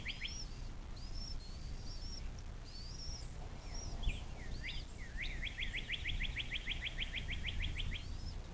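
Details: Bald eagle recorded by a nest cam on the Little Miami National Wild and Scenic River, southwest Ohio, late afternoon: a long run of about fourteen quick, sharp piping notes, preceded by scattered high whistles of small birds over low rumble.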